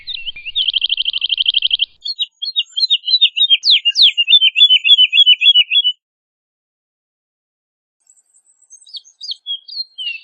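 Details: Singing woodlark (Lullula arborea) opens with a fast, even trill of identical high notes, moves into a descending string of clipped liquid units, falls silent, then resumes softly near the end.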